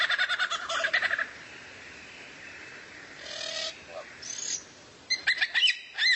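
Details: Bird song used as tutor material for training a white-rumped shama: a fast, rattling series of buzzy notes, a soft lower tone, a high whistled slur, then sharp clipped chips at the end.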